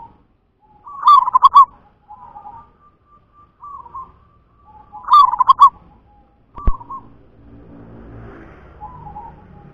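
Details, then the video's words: Local wild zebra dove song: two loud bubbling trilled bursts about four seconds apart, linked by soft drawn-out coos, with a sharp click and some faint rustling noise near the end. "Suara perkutut lokal"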